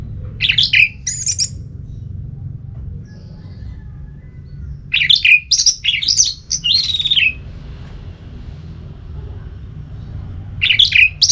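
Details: Orange-headed thrush giving ngeplong song to excite another bird into singing; repeated phrases of rich, high, tumbling whistles and mimicking notes, separated by pauses of a few seconds, with faint low background noise.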